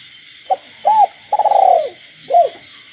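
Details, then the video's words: In rural night air a caged spotted dove coos while frogs call. One complete phrase: a brief note, an arched coo, an extended rolling pulsed coo, then a closing arched coo, over a continuous high-pitched hum. "cu gáy trong đêm"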